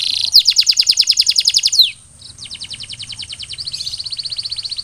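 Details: Singing canary, played to prompt silent canaries to sing: a fast rattling trill of clipped high notes, a short pause, then further rapid trills at slightly different pitches.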